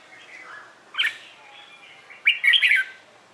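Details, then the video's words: Morning competition song of a red-whiskered bulbul, used to prompt newly caught birds to sing: a soft warble, then a loud rising note and a rich, quick, chattering whistled phrase near the end. "CHÀO MÀO HÓT BUỔI SÁNG"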